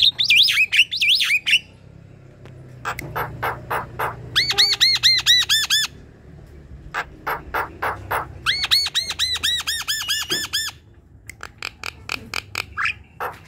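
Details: Chattering song of Javan mynas kept together in an aviary, used to coax quiet birds into calling: bursts of squeaky whistles, dry clicks and fast runs of arched, nasal harmonic notes repeated about twice a second.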